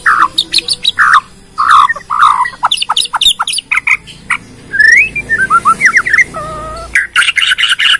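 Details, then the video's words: Bornean white-rumped shama singing a full lure song meant to make other shamas sing: loud, varied phrases of sharp whistled notes, rapid chattering bursts and sweeping slurred whistles, ending in a dense high trill. "PANCINGAN MURAI BORNEO BONGKAR ISIAN,, MEMANCING MURAI LAIN JADI BUNYI"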